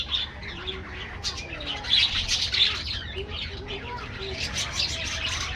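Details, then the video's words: Aviary colony of budgies chattering: quick squeaky chirps and short warbled notes overlap at an irregular pace, with a low background hum beneath the flock. "budgies bird"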